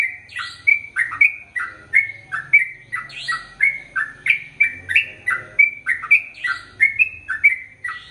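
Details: ['Sooty-headed bulbul in chatty song, ropel panjang style for training male and female birds: a steady stream of quick liquid whistles, roughly two per second, each swooping down or up, some doubled, a faint low rumble behind.']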